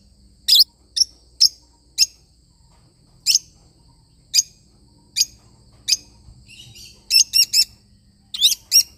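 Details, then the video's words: Lovebird parrot chirping: loud, high, piercing single notes spaced about a second apart, a soft twitter, then quick runs of three and pairs of shrill chirps. "love bird singing sound"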